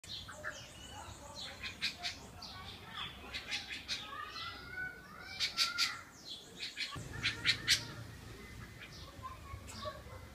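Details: A Rufous-bellied-type sabiá thrush strongly defending its nest with chicks at Barra do Jucu, Vila Velha, Espírito Santo, Brazil, in spring (October 2014), gives sharp, high, clicking alarm chips in irregular bursts, then pauses, over low rumble; chick awaits food.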